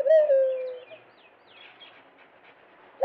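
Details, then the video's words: Dove singing: one loud, smooth coo that slides slightly downward and fades after about a second, followed by faint high chirps from small birds in the background. "فاختہ کی ایسی خوبصورت آواز آپ نے پہلے کبھی نہیں سنی ہوگی. The beautiful song of dove"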